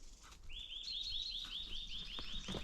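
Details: Eurasian nuthatch on a sunny early-spring morning on 8 March 2024 in forest gives a quick run of about ten clear, high whistled notes, each sliding up then levelling, in two seconds, over faint background noise.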